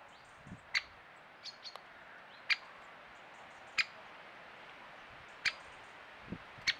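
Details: Male great spotted woodpecker calling in sun while feeding in a Cornwall field: sharp, short single clicks spaced one to two seconds apart over steady wind noise.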